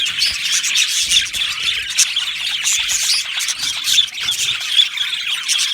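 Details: Aviary of budgerigars, Australian parrots, producing busy overlapping chirps and scratchy chatter, many birds calling at once in a continuous high twittering that swells and dips slightly.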